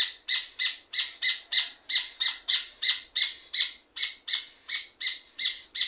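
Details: Steady, vigorous singing of a rufous hornero, a long unbroken string of sharp, shrill, buzzy-edged notes delivered about three each second, bright and loud throughout.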